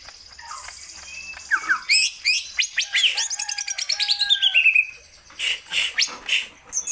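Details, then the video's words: Greater green leafbird singing energetically: thin high notes lead into a dense burst of rapid trills, sweeps and chattering whistles, then short loud phrases after a brief pause. "Kicauan Burung Cucak Hijau Gacor agar bongkar isian"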